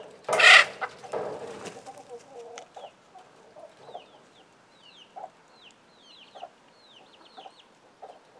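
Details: Hen and young chicks that scramble when an alert sound is given: a loud burst of noise opens, then thin falling peeps from chicks come in clusters over soft low clucks about every half second.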